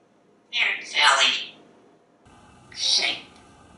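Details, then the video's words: Male African grey parrot kept indoors in a home in Texas, hatched June 1997, talking and laughing at himself; two short, bright, voice-like bursts, the first double-peaked, the second after a pause, in a quiet room. "parrot is talking, laughing and being a silly parrot"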